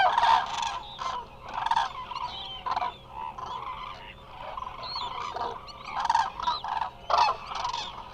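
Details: Dense chorus from a large resting flock of Eurasian cranes, Hula Nature Reserve, Israel: overlapping throaty trumpeting from many birds with no pause, loud and constant, over a faint hum.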